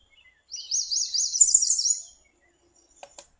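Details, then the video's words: Yellow warbler, a migratory insect-eating warbler, singing a bright, high, rapid run of quick sweet notes lasting under two seconds, rendered "sweet sweet sweet I'm so sweet", then a couple of faint clicks. "okay sweet sweet sweet I'm so sweet"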